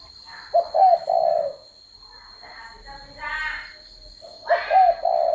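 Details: Spotted dove giving two low, rolling coo phrases that each start with a brief rising note, separated by a harsher buzzy rasp in between.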